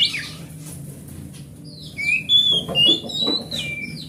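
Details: Large-bodied grade A oriental magpie-robin from the forest, singing as a lure for non-singing magpie-robins: a harsh burst, a quiet pause, then a run of clear whistles and sweeps mixed with some rustling noise.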